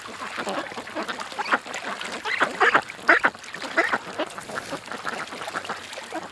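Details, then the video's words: Several ducks gather at a creek and quack in overlapping harsh calls. The calls build to a louder cluster midway through, then trail off into softer chatter. "Ducks At The Creek"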